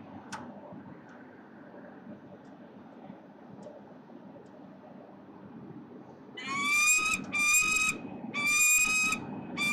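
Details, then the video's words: Adult female peregrine falcon squawking from a nest box in Melbourne, Australia, 7:05 am, 15 November 2020: a long near-silent stretch, then four strident, nasal, evenly spaced calls about a second apart. "Mum is on the nesting box and squawked a bit"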